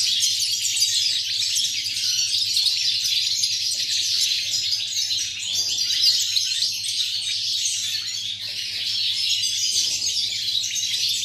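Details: European goldfinch, 8.11.2018: an extended, busy flow of high twittering, chirping and tinkling notes without pause, sounding full and chorus-like, with a steady faint hum below.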